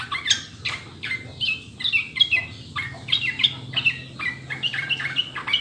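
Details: Sooty-headed bulbul song used as a clear prompting recording to get caged birds singing quickly: a continuous run of short, bubbly, liquid phrases with rising and falling whistled notes, delivered almost without pause, over a faint low hum.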